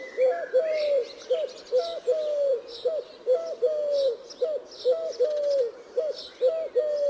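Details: Eurasian collared dove (Streptopelia decaocto) repeating its low, hollow three-note coo, each phrase quickly following the last, with faint chirps from other small birds behind.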